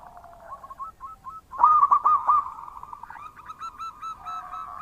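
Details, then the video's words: Local zebra dove in full, loud song: a soft, low cooing start gives way to a loud burst of short, hooked, bubbling coos around mid-pitch, then a steady run of quicker, quieter coo notes with a lower tone beneath. "Perkutut Lokal Gacor Suara Keras"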